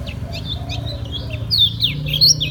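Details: Kecial kuning, the lemon-bellied white-eye of Lombok, delivering ngejos song: scattered high chirps that build into louder, sharp twittered notes near the end, with a low hum beneath.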